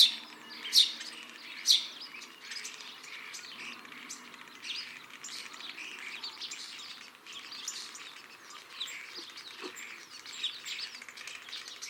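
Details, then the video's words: Common starling song: a dense, rambling medley of high chatter, clicks and rattles, broken by two sharp whistles in the opening seconds. "Обыкновенный Скворец"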